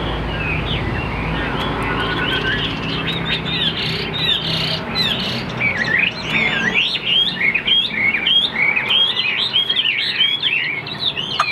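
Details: Caged Chinese Hwamei of big build, kept as a strong singer, gives a long continuous stream of varied, twisting high whistles and chattering notes, with low rumbling background noise.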